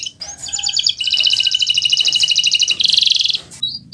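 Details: Canary (Kenari Nusantara) song meant as a tutor for other birds: a long, high, fast rolling trill that shifts pace midway, with faint low background hum beneath.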